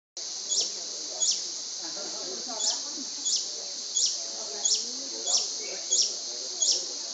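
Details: Long-billed Hermit displaying along Pipeline Road, Panama, in July 2010, repeating a sharp, very high squeaky note about every 0.7 seconds over a steady insect hiss, with faint low chatter behind.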